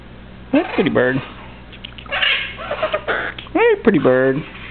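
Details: A male pet Eleonora cockatoo chatters in harsh, nasal, speech-like phrases with rising and falling inflections, talking and whistling while rubbing his beak on his owner's shirt, with a person's voice in a small room.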